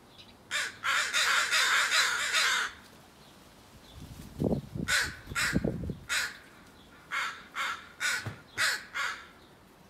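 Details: Crow in a backyard garden giving harsh, raspy caws: a long rapid run of rough calls first, then a low rumbling noise, followed by a series of separate short caws repeated about once a second.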